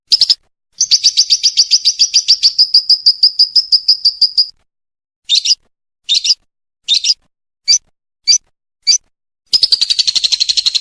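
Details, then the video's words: {'caption': 'Kumat lovebird song for contest training: a long rapid rasping trill of about four seconds, then a string of separate short harsh notes spaced under a second apart, then the fast chatter resumes.'} "MASTERAN LOVE BIRD KUMAT"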